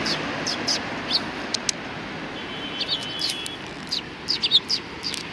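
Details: Sparrows recorded 6 December 2019 along a Tenmangu shrine approach path give scattered short, high chirps, sparse at first and then clustering toward the end, above a steady low rumble of background noise.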